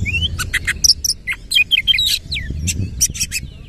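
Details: Oriental magpie-robin in vigorous song featuring coarse fill-in phrases, tail open: rapid harsh rasps alternate with short slurred whistles in a dense, choppy run, a low rumble underneath.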